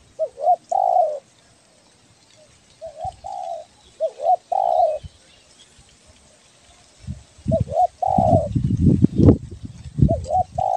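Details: Spotted dove of the belah dada kind from Kepri, Indonesia, calling busily, used to lure birds; repeated phrases of a short rising-falling note and a long mellow coo, with thumping and rustling noise over the last seconds.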